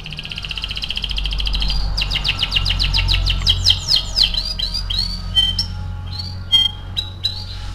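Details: Canary lure song, played to stimulate other canaries to sing: a fast, even rolling trill of high repeated notes, then a quicker rattling series, then scattered downward-slurred whistles and sharp chirps over a low steady hum.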